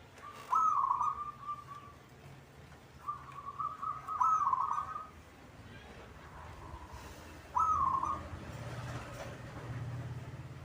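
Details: Caged local zebra dove singing repeatedly: four trilled, stuttering coo phrases over about ten seconds, roughly three seconds apart, with softer phrases between. Faint knocks and low rumbling in the background.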